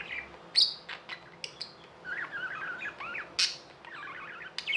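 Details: Pet budgerigars making sharp clicks and squeaks, then a twisting warbled chatter of rising and falling notes, with one loud harsh burst near the end.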